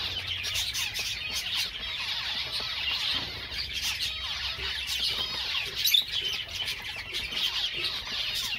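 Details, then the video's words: Java sparrows singing: a dense, continuous chorus of high, overlapping chirps, clicks and twittering trills from several birds at once, with soft flapping and rustling underneath. "Most Beautiful Java Songs Ever"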